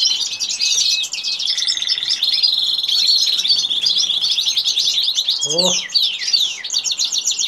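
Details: Goldfinch and canary during mating, giving a busy high-pitched song of rapid trills, short buzzy phrases and quick descending chirps. A brief lower squeaky sound cuts in midway.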